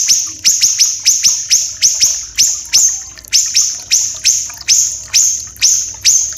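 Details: Small siri-siri, or common iora, delivers rapid high sharp notes, each falling in pitch, in twos and threes with short gaps, over a faint low hum and trickling water; its long, harsh, dense voice is used to tutor captive songbirds.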